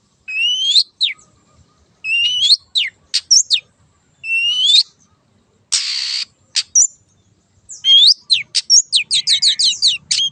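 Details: Long-tailed shrike lure song from a wild bird: repeated phrases of rising whistled notes followed by short sharp strokes, one long harsh rasp, ending in a rapid chattering series of clipped notes.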